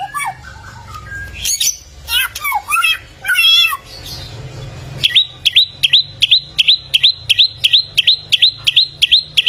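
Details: A golden samyong, the bare-throated whistler of Flores, East Nusa Tenggara, Indonesia, said to have a thousand voices. Warbled, wavering phrases and a quiet pause give way to a fast, regular run of sharp rising chirps.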